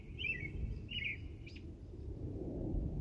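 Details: Two quick twittering chirps from a bird, each a short falling trill, followed by a brief sharp click and then only low, rumbling background noise.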